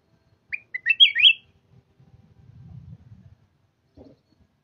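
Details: Red-whiskered bulbul delivering a lively, lilting phrase of short whistled notes that climb into a rolling flourish, followed by faint low rumbling and a soft thud.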